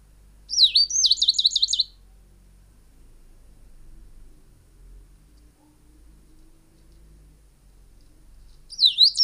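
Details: Song of the tricolored brushfinch, Atlapetes tricolor, found in Ecuador and Peru: a thin, high phrase of about six rapid wavering whistled notes lasting over a second, then a long silence before the phrase begins again.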